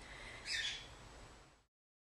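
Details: A young plover chick about 11–16 days old, in wildlife care and now feeding itself, gives one brief, high, thin peep lasting about a quarter second against faint background hiss.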